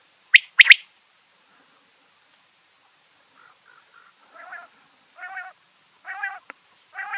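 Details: Big quail at night at home opening with sharp clipped double notes, followed by faint murmurs and a series of nasal, buzzy harmonic notes repeated roughly every second.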